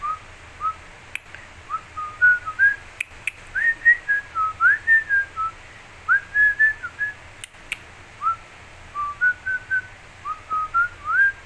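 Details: A cockatiel perched on top of a flower pot whistles a catchy tune, "Another One Bites the Dust", in short, clear notes that step up and down in pitch.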